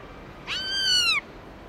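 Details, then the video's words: Black-throated laughingthrush in wild-style song: a single drawn-out, rich whistle that rises quickly, holds level and then falls away, lasting under a second, over soft background hiss. "Khướu bạc má hót GIỌNG RỪNG CỰC HAY"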